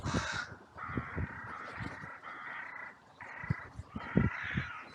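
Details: Several crows in a cemetery on a sunny day caw harshly in overlapping, drawn-out outbursts over five seconds, with thumps and rustling beneath: a mass outcry after two crows fought briefly, possibly also a raptor alarm.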